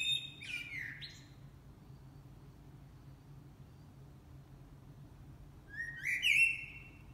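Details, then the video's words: A blackbird sings two short phrases about five seconds apart, each a mellow fluted note ending in a high, squeaky twitter, over a low steady hum. "Singing Blackbirds"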